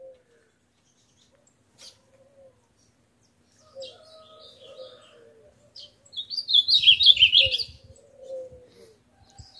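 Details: Nine-month-old male Ultramarine Grosbeak, caged outdoors in the morning near canaries, singing strongly with a deeper voice than before: a loud, rapid, warbling phrase of high notes about 1.5 seconds, faint lower tones and soft knocks around it.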